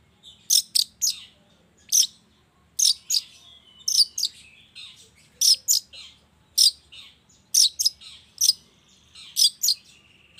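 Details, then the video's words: Long-tailed shrike, morning lure sound meant to make silent shrikes join in: loud harsh rasping notes, mostly in pairs or triplets, repeated roughly every second across the recording. "suara pancingan cendet cendet di pagi hari YANG BIKIN CENDET MACET sekalipun IKUTAN BUNYI toet toet"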